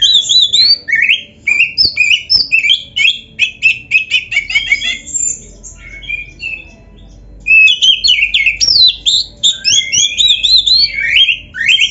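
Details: Kept black-breasted Oriental magpie-robin delivers continuous 'full isian' song rich in mimicked phrases, possibly including canary. Dense bursts of sharp whistles, chattering notes and rising slurs come almost without pause, with a brief quieter stretch midway.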